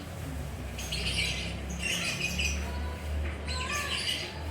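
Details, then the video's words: Relaxed lovebird chattering in bursts of harsh, high squawks with a short rising whistle near the end, over a steady low droning hum. "Lovebird Nongkrong Santai, Suara Burung Lovebird Gacor Ngekek Mantab"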